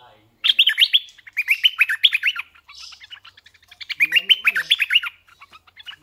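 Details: Red-eyed bulbul used as a decoy, delivering long strings of quick, warbled notes in rippling sequences, two main phrases with a softer gap between them.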